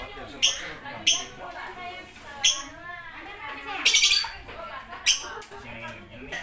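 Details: Lovebird producing piercing, rasping squawks at irregular intervals, one drawn out and buzzy, with quieter twittering notes in between.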